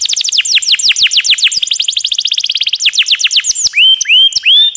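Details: Tutor recording of a canary with long rolling phrases: a rapid, steady stream of downward-sweeping chips lasting over three seconds, ending in several rising whistled notes.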